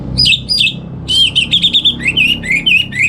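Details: Orange-headed thrush (Geokichla citrina), a kept bird singing in the morning: a loud, varied run of clear whistles, two rising phrases then a fast trilled series and warbled notes, with faint low room hum beneath.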